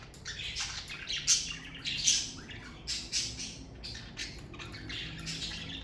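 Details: A pet parakeet family chatters steadily: dense, buzzy high chirps and squeaks follow one another with hardly a pause, rising in brief louder peaks about once a second.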